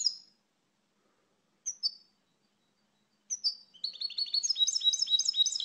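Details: European goldfinch song opening with three separated high, slurred descending call notes spaced about 1.6 seconds apart, then breaking into a rapid, tinkling twittered trill of repeated bright notes; quiet background.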